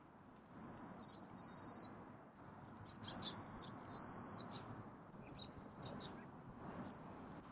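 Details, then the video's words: Golden-crowned sparrow singing clean, sad-sounding whistles that sweep down and hold, repeated about every two seconds in a quiet setting. "Bird Natural Sound.Golden crowned Sparrow."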